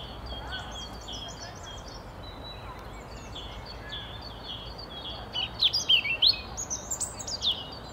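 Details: A European robin in Tivoli landscape park, Ljubljana, on 28 March 2022 gives a burst of thin, high, tumbling phrases with quick squeaky notes near the end, over low hum and softer distant bird calls; European robin.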